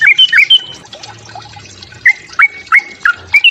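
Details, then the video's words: Sooty-headed bulbul giving its fighting song to provoke other birds: a few sharp upslurred whistles, a pause with a faint low hum, then four or five spaced, flicked notes. "Suara TRUCUK TARUNG, memancing EMOSI bunyi trucukanmu."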